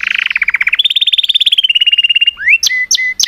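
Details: Singing canary delivering a fast song of repeated trills: a buzzy low trill, then rapid bright notes held level, ending in separate rising sweeps with short pauses between them.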